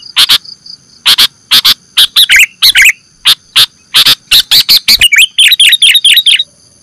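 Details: Sooty-headed bulbul (kutilang) from Indonesia, used as a bird-trapping lure: loud, clipped harsh bursts in quick groups, then a run of bubbly fluttering phrases near the end, with a steady high electronic hum behind.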